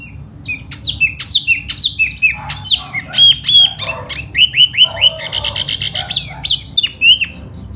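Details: Silver-eared laughingthrush (tiểu mi) in spring, singing in the display style called hót xoè: a rapid, rich stream of slurred whistles and sharp chirps, with a run of quick repeated notes near the middle.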